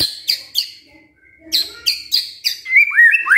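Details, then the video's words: A white-rumped shama in full song, used as a lure to set lazy shamas singing, gives a quick run of sharp downslurred notes, then rich rising whistles near the end, with soft low chatter in between. "PANCINGAN MURAI BATU GACOR"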